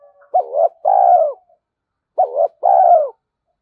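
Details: Spotted dove cooing used as a decoy to draw in wild doves: two phrases, each a short wavering note and a longer level coo, spaced nearly two seconds apart.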